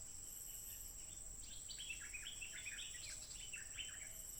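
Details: Stripe-throated bulbul in the wild, recorded by smartphone on 15 June 2021, singing continuously: rapid bubbling notes tumble up and down in a dense chatter over an unbroken high-pitched insect hum.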